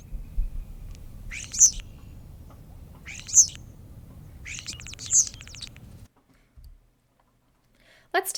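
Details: European Starling, one of the most common birds of Saint Joseph and Elkhart County, Indiana: three harsh, buzzy, rasping notes spaced about two seconds apart over a low rumbling background, followed by near silence.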